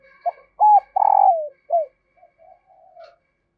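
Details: Female spotted dove call to get males cooing: a low short note, a loud coo, a long coo sliding down, another short coo, then three soft trailing coos, with a faint thin tone above.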